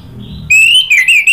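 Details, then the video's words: Orange-headed thrush lure sound for prompting song: after a faint low murmur, a loud sustained whistle rises slowly then wavers up and down. "PANCINGAN ANIS MERAH NGEPLONG merangsang BUNYI jadi NYAUT GACOR NGEPLONG"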